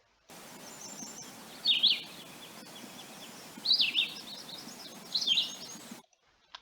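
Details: Philadelphia Vireo singing a song described as a little more choppy than the Red-eyed Vireo's: three brief high slurred whistled phrases spaced about two seconds apart, one doubled, over steady low background noise.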